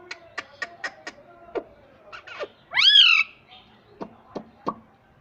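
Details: Pet parrot, said to talk in Hindi saying mummy: soft clicks and short chirps around one loud, harsh, arched squawk midway.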